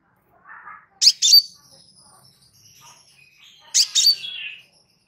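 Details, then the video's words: Crimson sunbird, kept as a master recording for training other birds, calm singing: two pairs of sharp, very high chipping notes about three seconds apart, with a soft, lower buzzy twitter before each pair. "Suara SANTAI Kolibri Sepah Raja"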